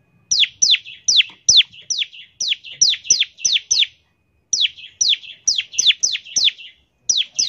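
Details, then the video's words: Prolonged series of high, steeply falling whistled notes from a bar-winged prinia, each with a buzzy tail, roughly two per second with one pause; 'ngebren' song used to make prinias start singing. "ciblek gacor, nembak NGEBREN untuk pancingan ciblek agar cepat bunyi"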